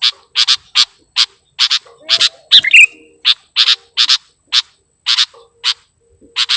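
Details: Kutilang, the sooty-headed bulbul, in a trapper's luring recording: clear scratchy chips repeated roughly every half second, with one quick twittering flourish midway over a quiet background.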